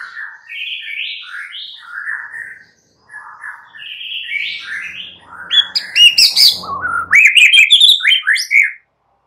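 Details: Young forest White-rumped shama in song, played to make other shamas answer: varied chains of mid-pitched whistled phrases, a brief pause, then a louder, richer stretch of tumbling, rising and falling notes mixed with harsh chatter.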